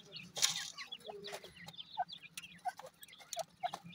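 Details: Dakhni teetar (grey francolin) chicks calling with brief, pure, evenly pitched peeps spaced about half a second apart near the end, after a louder rustle and a few higher chirps, over a low background hum.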